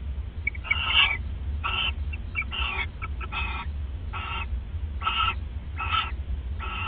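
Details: Owls at the nest around 1:26 AM on December 29, 2014, bonding and regifting; harsh, raspy bursts about a third of a second long, repeated roughly every 0.6 to 0.8 seconds, over a steady low hum.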